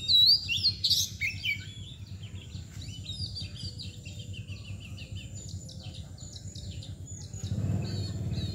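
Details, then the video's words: An Oriental magpie-robin gives bright, sharp whistled chirps and twittering phrases, loudest at the start and then fainter, over a steady low rumble with a thump near the end. "KACER MBAGONG LUCU ABIS"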